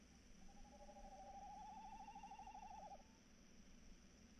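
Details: A tawny owl's long wavering hoot, starting softly and swelling into a rapid tremolo for about two and a half seconds before stopping; steady low hum behind. Recorded in the evening, 3 March 2018, near 21:14.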